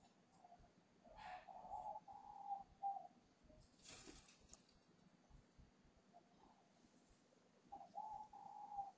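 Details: Young spotted dove kept at a Vietnamese bird farm in Ba Vi, Hanoi, its voice just breaking. It gives two short bursts of coos, early and late, separated by quiet and a sharp knock in between.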